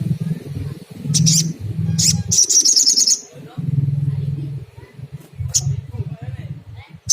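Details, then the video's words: Sunda coucal, called sogon, presented to stimulate calling: low, throbbing hoots delivered in fast pulsed runs that stop and restart, with sharp high-pitched chirps and a brief trill from another bird above. "Bikin SOGON cepat bunyi gacor - SOGOK ONTONG"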